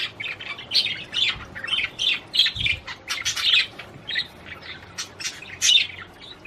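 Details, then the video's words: Budgerigar singing to prompt a female to mate, steady bursts of scratchy, squawky chirps and rapid clicking chatter repeated about twice a second. "تغريد طير البادجي لتحفيز الأنثى على التزاوج"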